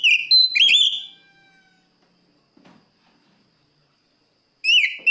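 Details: Oriental magpie-robin calling a rival: one loud phrase of rising whistles and a downslurred note opens, followed by quiet, then a fresh whistled phrase begins.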